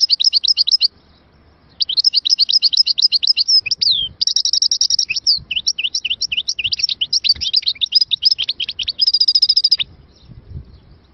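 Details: Chardonneret, an Algerian goldfinch from Moknine, in long continuous song: dense twittering, a brief descending slur, rolled buzzy trills and clusters of quick sharp notes, with short pauses near the start and end.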